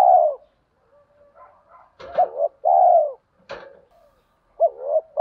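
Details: Spotted dove coos meant to stimulate birds in training: full rounded coos and short double notes, broken by two sharp clicks and quiet muttered notes in the pauses.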